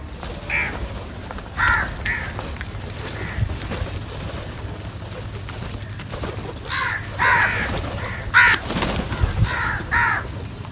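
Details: Several crows feeding together call in a loose series of hoarse caws, softer at first, then louder and closer together in a burst near the end, over a low background hum.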